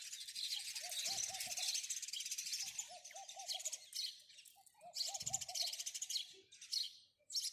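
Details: Dense, loud house sparrow chirping forms a continuous shrill chatter, broken by short pauses, with a dove's low rolling coo three times underneath.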